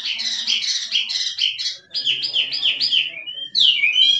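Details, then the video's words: Wild forest Chinese hwamei singing in the kích trống style: rapid, bright, buzzy phrases repeated in quick runs, a short pause near two seconds, then fresh whistled slurs to the end. "Chim họa mi rừng kích trống hót cực đỉnh nghe đã tai"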